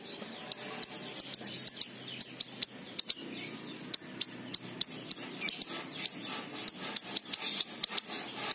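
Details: King konin, a sunbird kept as a songbird, in a lure recording meant to prompt a raw, reluctant bird to sing: a fast run of sharp, high, clicking chips, some paired, spaced unevenly throughout, with quiet background hiss.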